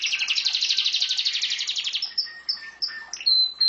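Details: Canary singing a rapid rattling trill of many quick notes, followed by a few spaced clear whistled notes and a sharp high pure tone.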